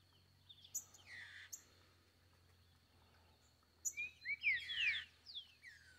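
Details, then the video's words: Green-winged saltator singing free in the forest close to a bird trapper, giving loud slurred whistled phrases, a short pair early and a richer rising and falling run near the end, with steady low background hum. "Trinca ferro solto na mata"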